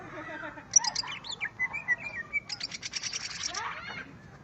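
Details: Greater green leafbird, a kept songbird, singing while facing a rival: varied whistled and chattering phrases, a rapid buzzy trill of repeated notes in the middle, ending in falling slurred notes.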